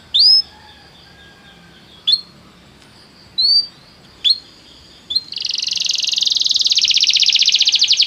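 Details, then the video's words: Canary singing to encourage another canary to sing: a few isolated rising whistled notes with gaps, then a long rapid buzzy trill building in loudness. "o som de atrair seu canário para cantar imediatamente"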